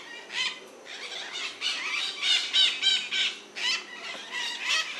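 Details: Harsh, buzzy screeching from a group of white-eyed parakeets in Brazil, with bursts of overlapping raspy squeals coming in uneven clusters.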